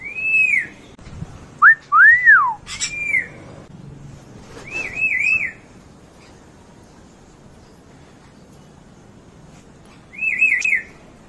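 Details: Two pet African grey parrots whistling. Clear rising-and-falling whistled arcs come singly and in quick doubled or tripled wavy bursts. There are longer pauses between them and a faint low background murmur.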